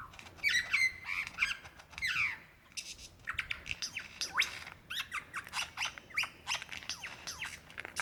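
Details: Lyrebird calling for his mate, Dandenong Ranges National Park, Victoria, Australia, February 2016; loud, harsh, rattling phrases and falling whistles, a brief pause, then a quick series of clicking, chattering notes.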